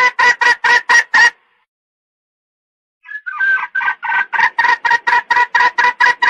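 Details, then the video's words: Red junglefowl calls played to lure male birds: five loud harsh clucks, a pause of almost two seconds, then a faint whistled start building into a fast, regular string of rasping clucks. "tiếng gà rừng dung để bây chim trống"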